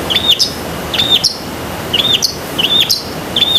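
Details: A long-tailed shrike's energetic song, played to train caged shrikes. Short whistled phrases, each a flat high note ending in an upward flick, repeat about every three-quarters of a second against faint background hum.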